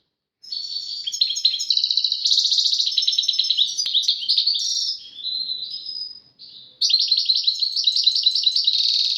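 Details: European goldfinch singing a duet of Moroccan-style song with tawawati and tbatbati phrases: continuous rapid twittering, buzzy trills and liquid chirps, high-pitched, with a brief dip near the sixth second before a bright trilled burst resumes.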